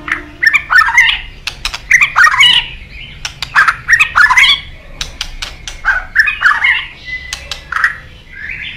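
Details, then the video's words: White-rumped shama kept in a cage, producing rapid bursts of harsh, chattering and scratchy notes mixed with clicks, repeated in short clusters about every second. "durasi cuma 6menit tapi dijamin nembak #kicaumania #muraibatu #gacor"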